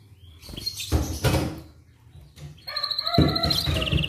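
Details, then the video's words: A canary's morning song, used to prompt other canaries into singing, starts amid knocking and rustling noises, then turns into a loud, rapid buzzy trill with rich overtones that steps down in pitch near the end. "MASTERAN AMPUH Buat Kenari Lain Cepat Bunyi II Pancingan Kenari di Pagi Hari"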